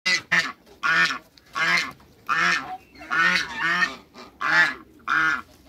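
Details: African geese, two males and one female, in a backyard: loud nasal harmonic honks in short bursts, roughly one every half second to second, with a brief double note at the start.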